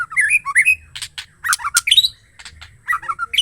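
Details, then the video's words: Female white-rumped shama in full song giving a lively run of sweet whistles mixed with harsh, buzzy squawks and sharp chirps, in quick irregular bursts. "SEMUA MURAI BISU LANGSUNG AUTO BUNYI DENGAR SUARA MURAI BETINA GACOR"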